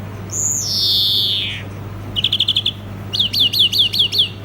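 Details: A long, drawn-out wheeze gliding downward, then a fast rattling trill and six loud downslurred chirps from a singing European greenfinch, faint hum underneath.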